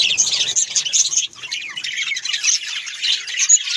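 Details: Pet budgerigars, Australian parrots, kept in a village setting, giving continuous bright, high chattering with scratchy chirps and short squeaky notes, dipping briefly mid-way, then resuming.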